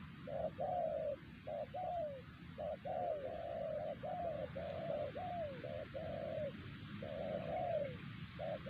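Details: Spotted dove calling in the wild at Siosar while trappers use a decoy bird. A steady run of deep hooting coos, short notes alternating with longer falling slurs, nearly continuous, over faint low hum.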